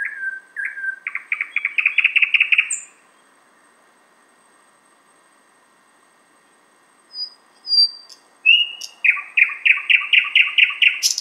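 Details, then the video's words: A Thrush Nightingale, outside a window in Finland far north of its usual range, sings loud phrases: clear opening whistles, then fast, hard repeated notes, a pause, then high whistles and another rapid rattling series. "Thrush Nightingale (sound recording)"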